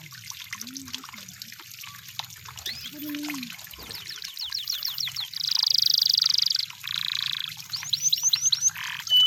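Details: Canaries said to be in the wild: high rapid rolls, buzzing trills and series of upswept whistles, with low swooping notes and a steady watery trickle underneath.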